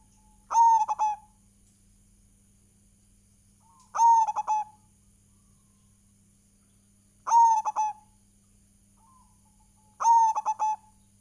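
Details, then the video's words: Local zebra dove singing, used as a lure to prompt other doves to sing: a bright cooing phrase of a sharp opening note and quick stuttered coos, repeated about every three seconds, with a steady low hum and no other birds. "PANCINGAN PERKUTUT GACOR"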